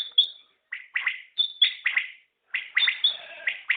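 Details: Common quail, locally called batair, giving sharp, clipped notes in quick bursts of two or three, the phrases repeating about every second with brief pauses and no other sounds.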